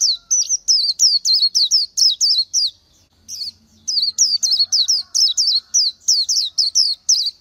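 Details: [7, 'Quick series of high sweet slurred notes from an Oriental white-eye, broken by a short pause, then resumed at the same brisk pace of several notes per second.']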